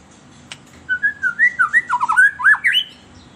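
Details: Lure song of a white-rumped shama for captive birds: a smooth string of about a dozen liquid whistled notes, dipping and rising in quick succession, ending on a higher upslurred whistle.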